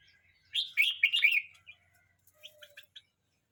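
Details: Young red-whiskered bulbul, aged 12 months 29 days, delivers a lively phrase of several rolling, gurgling whistles. A short series of softer, clipped chirps follows, with little else audible.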